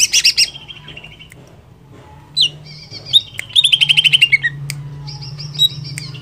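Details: Greater green leafbird in lively song, played to excite another leafbird: high squeaky phrases, a brief sharp upslur, then a quick run of descending rattled notes, over a steady low droning hum.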